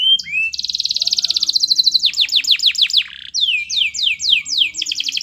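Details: Canary master song, played so other canaries join in: a fast buzzy trill flows into a series of sharp descending swoops, repeated several times per second.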